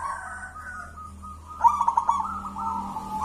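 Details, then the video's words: Local Mojopahit zebra dove, found wild as a chick and reared by hand, a champion in Javanese contests. A soft steady coo breaks into a rapid pulsing trill, then a smooth held tone, over a low hum. "suara perkutut lokal mojopahit sang juara lomba gacoran"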